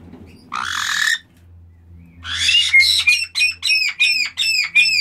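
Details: Black-headed caiques producing a harsh, noisy screech, a short gap, then a rasping squawk leading into seven or so evenly spaced shrill notes, each sliding down in pitch, about two per second, over a low steady hum.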